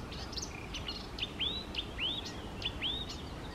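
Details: {'text': 'Eurasian reed warbler singing by small lakes on the morning of 28 May 2024: a run of high hooked and rising notes, repeated roughly every half second, over faint steady background noise.'}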